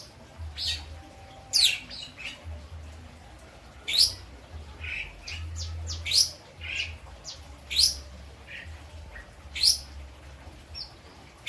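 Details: Lovebird from Indramayu, West Java, singing with a learned repertoire of kapas tembak and ciblek songs. It gives sharp, high, rising whistled notes and short chirps every one to two seconds, with a steady low hum underneath.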